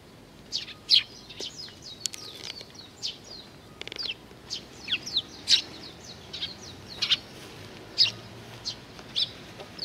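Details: Juvenile sparrows at food, Tenmangu, Nakanoshima, 25 May 2020: a chorus of thin, downslurred high chirps, several birds calling over each other at irregular intervals in quiet surroundings.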